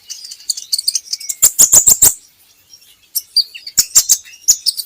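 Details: Lure song of a kolibri ninja for getting birds to sing: dense high twittering, then a burst of loud clicking notes, a brief pause, and more sharp chirps with clicks.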